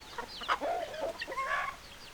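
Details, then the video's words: Chickens clucking: a busy two-second burst of overlapping squawky clucks that rise and fall, some sharp and some drawn out, over steady background noise. "Chicken Sounds Noises Hens Clucking Roosters Crowing"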